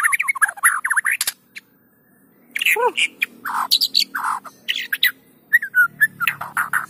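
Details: A lure song of the white-rumped shama, meant to set other shamas singing: dense bursts of chirpy notes, a pause, then a steep falling whistle and varied warbled phrases with short, slurred notes.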